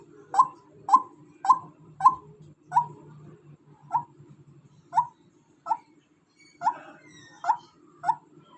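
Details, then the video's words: Calling female white-breasted waterhen repeating short, harsh single notes at a slightly uneven pace, about twelve over eight seconds, with a gap near the sixth second and a faint low rumble in the background. "suara ruak ruak betina"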